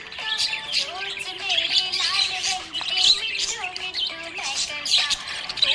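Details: Happy budgie chirping in dense, rapid high twitters and short squeaky notes, layered over a melodic song playing in the background with sustained tonal music lines throughout.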